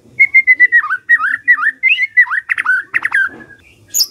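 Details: Morning lure song of a white-rumped shama, meant to make a silent bird start singing: repeated clear whistles that dip and swoop, followed by louder, harsher notes and a final high squeak, over faint background noise.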